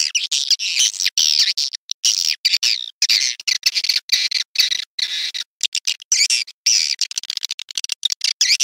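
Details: Swiftlet lure call used by swiftlet farmers: dense, high twittering chirps in choppy bursts, broken by short silences, with rapid clicks between them, indoors-sounding and with no other sounds.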